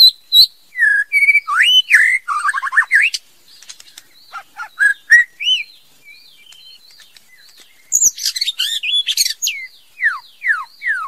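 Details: Female White-rumped shama in full song: quick runs of fluty, rising and falling whistles, a quiet pause with soft notes, then a loud burst of harsh high notes and clear descending whistles.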